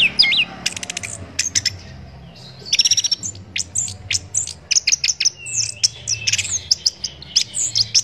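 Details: Orange-headed thrush song for tutoring songbirds: rapid clicking bursts, sweeping whistles and sharp high chirps in an energetic, changing sequence.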